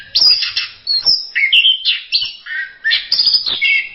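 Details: Orange-headed thrush master song for tutoring other songbirds: a lively sequence of short bright phrases, clear whistles and chattering notes separated by tiny gaps, loud and clean against a quiet background.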